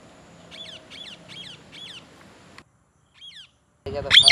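A parrot gives four sharp, squeaky chirps in quick succession about every half second, then one more after a pause, before a loud burst of noise.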